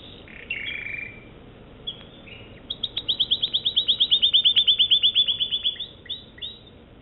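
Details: American Singer canary singing: a few scattered chirps and short warbles, then a rapid even trill of about twenty-five crisp high notes swelling and fading, followed by a couple of soft closing chirps.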